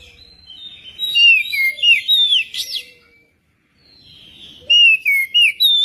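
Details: Magpie-robin song, used as a prompt to make a magpie-robin sing: slurred descending whistles and a rising sweep, then a short silence, then four strong repeated whistled notes.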